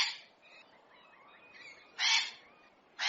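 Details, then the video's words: Hyacinth macaw in nature; soft faint calls, then two short loud harsh squawks about a second apart. "Canto Da Arara | Arara Azul | Arara Azul Cantando | Arara | Arara Na Natureza | Som Da Arara"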